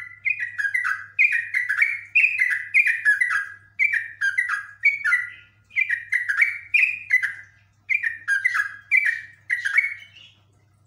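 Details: Yellow-vented bulbul (Pycnonotus goiavier), song.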